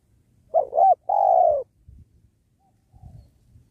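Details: Spotted dove used as a lure while trapping doves at a sacred tree. One double-humped coo is followed by a long, level, falling coo, then soft low knocks.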